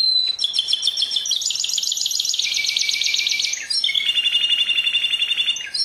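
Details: Canary singing continuous rolling trills, one fast buzzy tour of repeated notes changing into another lower, rattling trill without a break.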